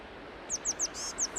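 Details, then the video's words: A Eurasian blue tit calls from a tree by the River Don at Oughtibridge, Sheffield, on 4 March in early spring: a quick series of thin, very high, down-slurred notes, about six a second, with one short buzzy note, over steady river noise. "Ah, there's a blue tit up there calling."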